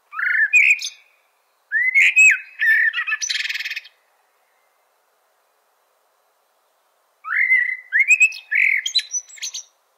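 A Common Blackbird sings two phrases a few seconds apart, each opening with mellow rising whistles and ending in a scratchy, high twitter. No other sounds.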